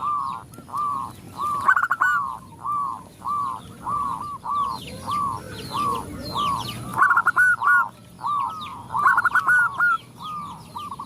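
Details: Zebra dove female calling to males, with other zebra doves answering: repeated rounded cooing notes near one pitch, coming in rapid bursts with stuttered openings, several birds overlapping; fainter high chirps of other birds behind.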